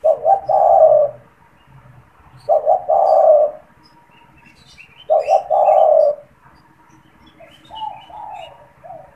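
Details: Spotted dove (tekukur) in a cage, said to coo constantly and used for calling and trapping wild doves: three deep cooing phrases roughly every two and a half seconds, short notes leading into a drawn-out coo, then softer coos; faint bird chirps behind.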